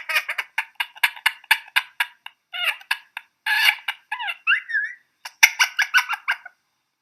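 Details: An olive-backed sunbird, being petted, gives rapid harsh scratchy chips about four a second, broken by a brief squeaky twittering run, then more chattering.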